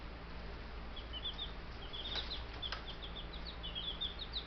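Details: Baby Buff Brahma chicks, ten of them only days old, keep up busy high-pitched peeping, short descending chirps in runs, with a couple of sharp clicks and a continuous low electrical hum beneath.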